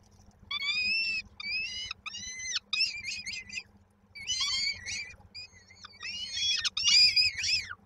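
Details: Young peregrine falcons at a Koszalin nest, Poland, 19 May 2022, awaiting the mother's evening meal: rasping, downslurred screams in clustered bouts, several chicks overlapping, with a faint low hum beneath.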